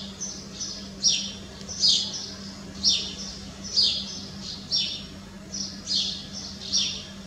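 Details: Common house martin calls: short chirping twittered notes repeated about once per second, each a quick downward-sliding chirp, over a steady low hum.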